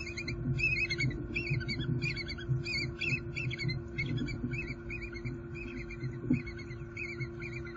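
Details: A pair of eagles in Southwest Florida on 6 December 2020, adding grasses and nesting material to their nest and mating: rapid, squeaky, chattering calls in repeated bursts throughout, over a steady low hum and background rumble.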